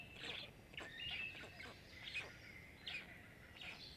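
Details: At a Black stork nest in Jõgeva County, Estonia, five chicks beg as they are fed, 29 May 2022, via nest camera: hoarse, hissing squawks about once a second, each a brief noisy burst.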